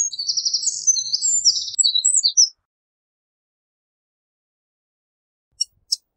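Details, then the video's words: Eurasian wren singing a rapid, high tumbling phrase of buzzy trills and sharp notes for about two and a half seconds, then silence broken by two faint clicks. "Eurasian Wren Bird Song, Call, Chirp, voices, Sound - Chochín Común Canto - Troglodytes Troglodytes"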